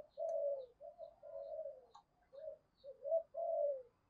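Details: Spotted dove calling as a lure to provoke wild birds to fight, 'giọng thổ' voice style; quieter, a run of soft low coos of varied length in quick succession, some rising at the end.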